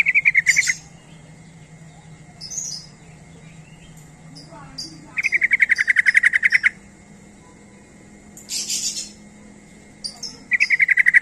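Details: Sooty-headed bulbul giving its luring call to provoke other bulbuls: three rapid rattling bursts of bright repeated notes, each lasting about a second, separated by silence and short hissy noises.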